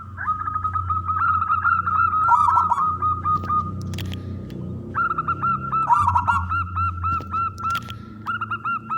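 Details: Strong-voiced local zebra doves singing to lure other doves; two bouts of rapid, clipped cooing notes separated by a short pause, with a faint click and low background hum.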